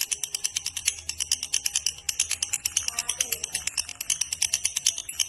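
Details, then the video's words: Long ngekek from a fighter-type lovebird: bright, high, clicking pulses in a steady, rapid series, with a faint lower murmur partway through. "love birds fighter durasi ngekek panjang gacor"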